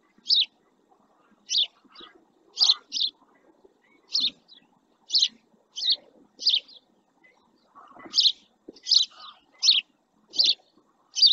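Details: A male house sparrow sits close to a camera in the El Rocío marsh, Doñana National Park, Spain, giving a steady series of sharp chirps about every half second to second, some paired, over a quiet background.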